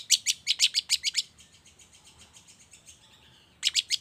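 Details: Morning lure sound to draw song from long-tailed shrikes: a fast run of harsh, high scratchy notes, about eight in a second, fading to a soft echoing series, then a final loud burst of four.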